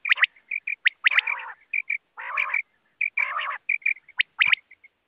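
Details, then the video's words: Quail calling, a sound meant for use at night: sharp, clipped high whistled notes in quick pairs, broken by three harsh, buzzy rasping bursts about a second apart. "batair ki awaz rat ky ly"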